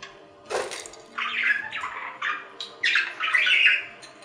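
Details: Budgerigar chattering: a short harsh note, then a series of scratchy warbled phrases broken by brief pauses, growing busier toward the end.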